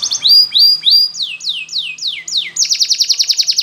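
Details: Spanish Timbrado canary singing a powerful training song: bright repeated falling whistles, a run of longer downward slurs, then a rapid rattling trill of sharp notes, with a faint steady hum behind.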